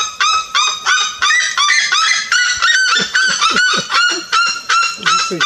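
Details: A red-legged seriema in Brazil, 2016, gives a loud, rapid series of harsh, yelping notes, nearly three per second, each with a slight upward inflection.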